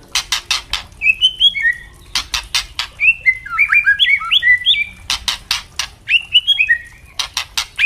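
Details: White-rumped shama song from a spotted juvenile and an adult kept in captivity, open 'ngeplong' style for training birds: tumbling clusters of short whistled notes, broken by rapid rhythmic crackling clicks.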